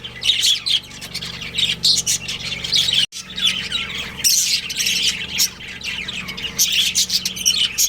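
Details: A budgerigar breeding pair chatters in rapid high chirps and squawky warbles, briefly cut off by a click near the middle, then resuming just as busily.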